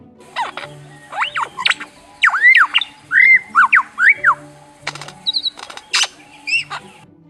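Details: A male lyrebird of southeast Australia's coastal forests, a mimic of many sounds, gives a rapid medley of varied whistles, sweeping rising and falling notes and sharp chirps, in quick bursts over faint background music.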